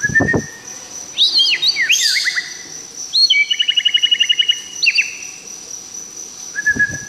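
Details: White-rumped shama recorded directly, loud and varied: clear whistles, slurred upward and downward notes, then a rapid even trill of about a dozen notes, closing with a steady whistle; low thumps at start and end.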